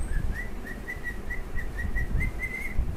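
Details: Pair of cockatiels singing a steady string of brief pure whistles, each note level or gently upswept, around a dozen evenly spaced notes in three seconds, with a low hum and rumble underneath.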